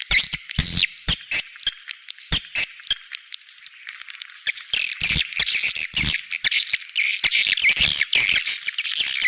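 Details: Edible-nest swiftlet 'outside' sound for swiftlet houses: spaced sharp clicks open the recording. Thick high chattering and twittering then builds steadily toward the end.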